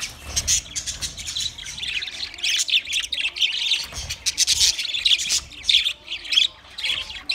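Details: Budgerigars, twenty pairs, chirping in bursts of high, squeaky warbles and harsh short squawks, the chatter swelling and dropping every second or so.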